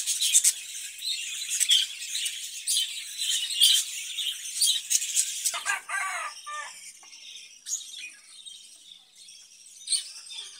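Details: Caged budgerigars kept for breeding: a dense, scratchy, high-pitched warbling chatter of rapid clicks and squeaks, steady through the first half, then a harsher harmonic squawk midway, followed by thinner scattered chirps and short trills.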